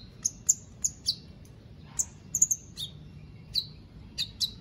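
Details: Contest-kept white-rumped shama from Palu, Central Sulawesi: separate sharp, high whistled notes, each dropping slightly in pitch, spaced irregularly about every half second, with a quick double note midway.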